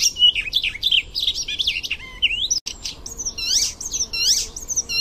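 Icterine warbler singing a fast, varied run of whistled slurs, chattering trills and sharp, nasal notes, high-pitched and restless, with a brief cut midway.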